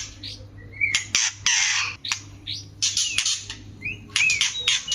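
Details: Caged white-rumped shama in breeding mode: loud broadband rasping bursts separated by pauses, with short clear whistles between them and a constant low hum.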